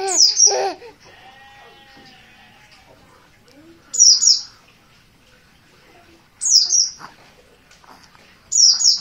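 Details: Untrained oriental white-eye of the Dakun Merapi type giving insistent calls: loud, very high, sharp descending chirp bursts repeated about every two and a half seconds, with faint lower tones between bursts.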